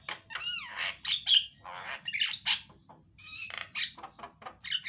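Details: Javan myna song, loud and used as a lure to get a silent myna singing: a jumbled run of squawks, rising and falling whistled slurs and rasping notes with barely any pause.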